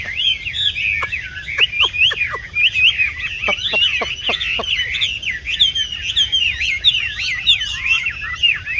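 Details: Tame caged Chinese hwamei, 'tam hoàng' type, yellow-legged and yellow-billed, a big bird kept for stand singing. Fast looping whistled phrases run unbroken and are interrupted by a short run of sharp clicks near the start.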